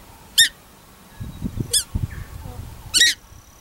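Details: Paradise shelduck, one of a pair at a corn bait station in Tawharanui Regional Park keeping pukeko from the food, gives three harsh, shrill squawks about 1.5 seconds apart, with low thumps and shuffling between.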